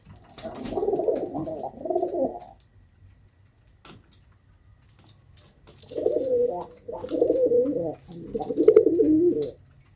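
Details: Kept pigeons cooing: two bursts of low, throaty, rolling coos, the first lasting about two and a half seconds, then a pause and three more phrases close together, with faint clicks and rustling in the background.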